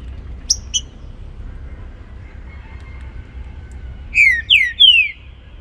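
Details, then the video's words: Morning baruc song from a trinca-ferro: two short high chips at first, a quiet pause, then three loud descending whistles in rapid sequence over a soft low hum. "TRINCA FERRO BARUC CANTANDO PELA MANHA"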